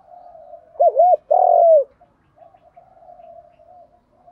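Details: Male and female spotted doves cooing to spur captive birds into calling; two rapid bouncing coo notes are followed by a long swelling coo that slides down, over a quiet low murmur of more distant cooing.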